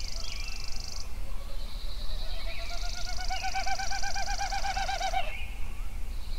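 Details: Sunrise songbirds at Yellowstone: a rapid, wavering warbled trill running for several seconds beside a high, sustained buzzy note, over a constant low background rumble.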